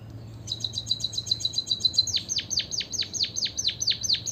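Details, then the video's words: White-headed munia singing as a lure to spur other birds into song: a rapid train of thin, level, high notes gives way to about ten loud, evenly spaced chirps that slide sharply downward. "pancingan emprit kaji biar gacor - suara pancingan burung pipit berkicau agar ikut bernyanyi"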